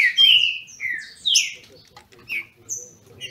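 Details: A short exchange from captive green-winged saltators in Brazil competing in song: one strong, descending whistled phrase, then a few shorter slurred notes and a thin high whistle, with faint background rustle.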